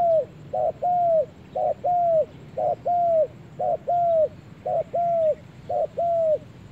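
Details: Spotted dove in a forest, cooing steadily: paired notes, a short coo followed by a longer, fuller arched coo, repeated about once a second for the whole stretch over a soft low background hum.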